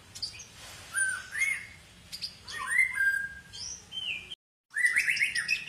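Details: Long-tailed white-rumped shama, Medan variety, delivering loud varied song: rich whistles, slurred rising notes and sharp chattering bursts in quick phrases, with a brief silent break before more whistling.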